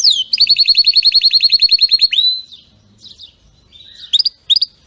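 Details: Canary singing a strong training song without faults: a rapid even trill of high notes lasting about two seconds, ending in a rising slur, followed by quiet gaps and a few sharp chirps.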